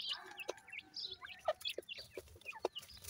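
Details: Several grey francolin chicks give thin, high cheeping notes, each a quick downward slur. The calls come every fraction of a second amid sharp tapping and clicking sounds.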